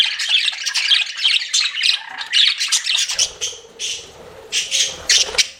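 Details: Pet budgies chirp in flirting chatter, starting with dense scratchy warbling. Broken chirps follow over a low rumbling background noise in the second half.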